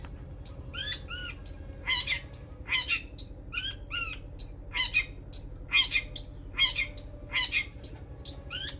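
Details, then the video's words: Long-tailed shrike singing learned sogon material; varied sharp chirps and squeaky, harmonic notes, some rising, others falling, delivered in an uneven series about once a second, with a low steady hum beneath. "Cendet materi sogon"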